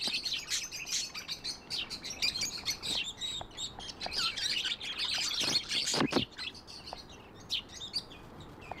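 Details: Pet budgerigars keep up a continuous busy twitter of sharp high chirps and buzzy warbled notes, many fast notes overlapping throughout, with a few clicks.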